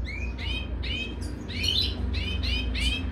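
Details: Repeated bright, slurred chirps, about two a second, from European goldfinches mating in a cage, each note rising then falling, over a low steady hum.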